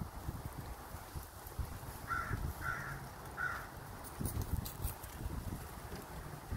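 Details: Crow in Minnesota making strange chittering noises: three short, hoarse, arched calls about half a second apart midway through, over steady low rumble and rustling background noise.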